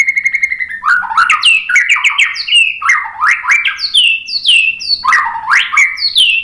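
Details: White-rumped shama song intended to coax other birds into singing, opening with a rapid series of high ticking notes, then a level whistle and repeated rich rising slurred phrases with sharp clicks.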